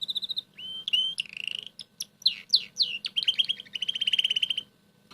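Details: Morning song of a caged red canary singing while eating boiled egg yolk, as a second canary eats radish leaves: varied warbling with flat whistled notes, quick rattling trills and a sustained buzzy roll, over soft low background noise.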